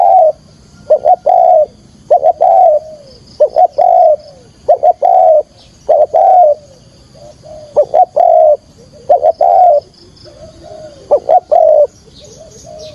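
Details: Spotted dove call played to lure birds for trapping: a long series of cooing phrases, paired short notes then a sustained coo, repeated about every second and a half.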